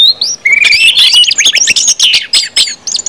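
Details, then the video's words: Song of an orange-headed thrush in the ngeplong style, used to encourage other birds to sing; quick chirps, a long rising whistle, then dense high twittering and short repeated bursts. "KUMPULAN ANIS MERAH NGEPLONG BIKIN CEPAT BUNYI DAN GACOR ANIS MERAH"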